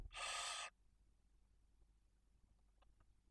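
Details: Barn owl at its nest in Cabañeros National Park as the female feeds two chicks aged one and four days. A single harsh breathy hiss lasting over half a second, followed by near silence and faint clicks.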